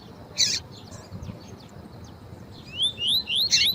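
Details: Female double-collared seedeater calling to stir up a male, kept for song tournaments: after a quiet start with a couple of sharp chips, a quick run of thin, rising whistled notes, with steady low background noise.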